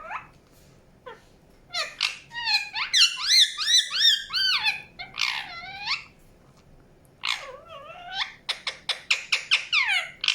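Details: Indian ringneck parakeet chirping: harsh, rich squawks and warbling rising-and-falling notes, some in quick runs, ending in a series of short sharp chips about three per second, with faint background hiss.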